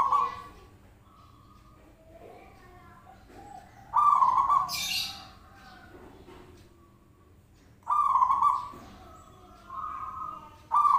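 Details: Zebra dove call used as a lure to get other doves to respond; three loud, rolling cooing bursts spaced about four seconds apart, softer notes between them, and a brief hissing noise partway through.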